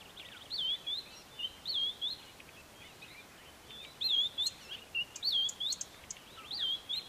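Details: White-browed scrub robin near Port Alfred, Kap River Nature Reserve, April 2019, delivering rapid high whistled phrases that swoop down then up, repeated in quick succession with fainter echoing notes and softer chirps from other birds between them.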